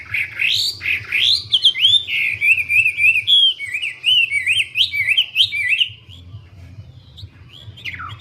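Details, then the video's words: Wambi singing vigorously: swooping whistles give way to a fast rippling trill of short slurred notes. The bird then falls quiet, leaving only a low hum and one last falling whistle. "Burung wambie"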